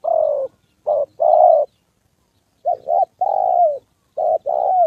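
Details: Trapping decoy spotted dove facing a wild fighting male and a female: deep, husky coos in paired and drawn-out notes, given in bursts with a silent gap midway through.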